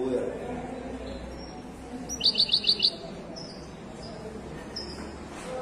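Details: European goldfinch of Moroccan widani type delivering a quick series of five evenly spaced, high, buzzy-edged chirps. Faint twitters follow, over a soft background hum.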